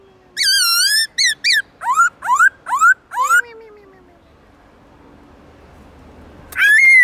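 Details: Black-throated laughingthrush singing in the forest-voice style with long, loud, clear tones. A fast burst of rich, wavering whistles comes first, then a run of rising slurred notes, a quiet pause and one more bright whistle.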